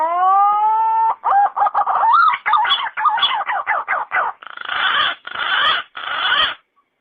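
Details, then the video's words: Green pigeon giving a drawn-out whistle that bends upward, followed by quick, choppy, modulated whistles and then a series of rough, breathy, grating bursts about a second apart. "Suab noog nquab ntsuab quaj zoo."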